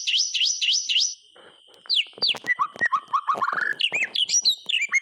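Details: White-rumped shama in energetic song to make quiet shamas sing: a rapid sequence of swooping high notes, a short pause with soft rasping, then varied whistles, clicks and a rising string of low whistled notes.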